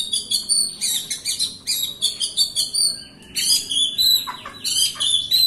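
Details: White-rumped shama lure song to get a silent bird singing: quick trills of bright chirps and whistled phrases in rapid bursts, a brief lull, then more rich, varied whistles and slurred notes.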